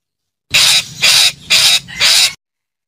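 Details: A calling parakeet gives four harsh, grating screeches in a steady series, each lasting about a quarter second.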